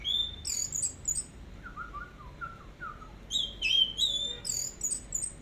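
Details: Orange-headed thrush in teler song from a long tutor recording: high whistles and chirps, then a lower run of soft descending warbled notes, before fast high twittering returns.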